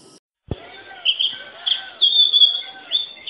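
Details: Oriental magpie-robin song after a sharp click: bright whistled notes near one pitch, some held and wavering, repeated in short bursts with brief pauses over a quiet background.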